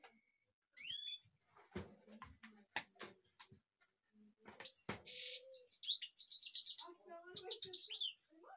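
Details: Kashmir goldfinch giving a few high chirps amid knocks and clicks, then a harsh buzzy note followed by a long, rapid series of tinkling, trilled twitters.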